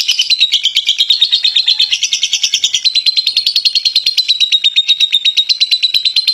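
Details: Long 'ngekek' chatter from a champion contest lovebird: a dense, continuous run of grating, rapidly repeated notes, roughly eight a second, sustained for over six seconds, with a thin high whistle running along it.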